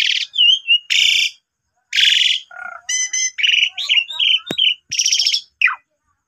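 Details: Asian pied starling singing energetically as a lure for quieter starlings, displaying its learned repertoire; harsh buzzy bursts alternate with squeaky whistles and chirps, with a couple of sharp clicks near the end.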